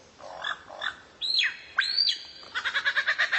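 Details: Tutor song from a rare bird used to train kacer: soft chirps, two long arching whistled slurs, then an evenly spaced run of short buzzy ticking notes.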